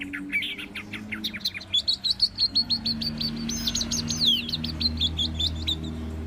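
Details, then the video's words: Orange-headed thrush singing a fast run of repeated high chirping notes, about three per second, rising into a jumbled twittering flourish, with a steady low hum underneath. "Anis merah super jos(bird sounds)"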